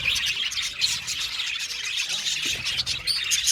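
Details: Short burst of budgerigar colony chatter from an aviary: quick bright chirps, squeaky warbles and clicks from many birds at once.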